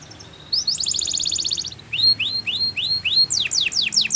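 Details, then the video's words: Melodious Belgian canary song meant to train young canaries. A fast steady trill leads into a series of spaced, upward-slurred whistles, then quick descending swept notes, over a soft background hiss. "Canary Teacher To Train Your Canary!! Belgian Canaries Sing Melodiously"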